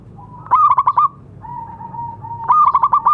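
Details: Zebra dove, local type, calling to prompt quiet doves into song: two bursts of fast stuttered cooing, pulsed notes at steady pitch, separated by a long level tone.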